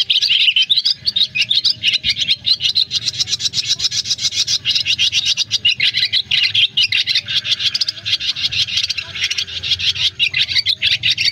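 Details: A swiftlet flock called to roost, recorded in August 2024 for luring birds into nets; a long unbroken stream of thin, fast twittering and rasping notes from many birds, with steady, rapid pulsing.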